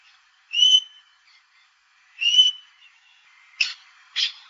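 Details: Domestic Australian king parrot (Alisterus scapularis) giving two clear, high whistled notes about two seconds apart, then two short harsh chattering notes.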